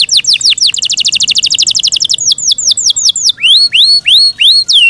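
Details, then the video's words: Pet Yorkshire canary's loud song: a fast metallic trill of many short notes, then slower falling whistles, and finally rising upswept chirps repeated about twice a second. "Yorkshire canary Nice sound"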